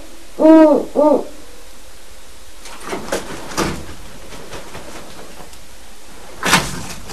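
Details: Two captive 7-month-old great horned owlets give their first adult-sounding hoots when a wild resident owl visits: two short, hollow hoots in quick succession, then scattered knocks and clatters as they chase each other around.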